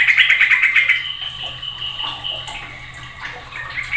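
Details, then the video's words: Noisy sooty-headed bulbul song that stirs other bulbuls to join in: opens with a rapid string of bright repeated notes, then slides into looser warbled and chirping phrases, ending with a sharp note. "Belum Satu Menit Suadah Bikin Trucuk Lain Pada Ikut Ribut"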